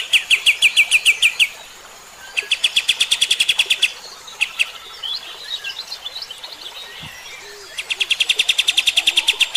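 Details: Kapas tembak (striated grassbird) singing, recorded for use as a master to teach other birds. Rapid volleys of loud, clipped, metallic notes come in three long bursts, with scattered softer twittering between them.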